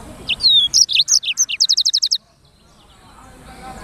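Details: Energetic black-throated canary phrase of high chirps and a long downslur, accelerating into a fast even trill of short notes, then silence apart from low background hiss.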